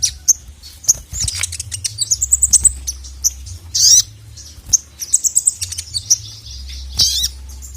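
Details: Ruby-cheeked Sunbird, known locally as sogon, calling to summon a male in an energetic tutoring recording: sharp, high, piercing chips at irregular intervals, mixed with quick twittered runs and a brief squeaky phrase.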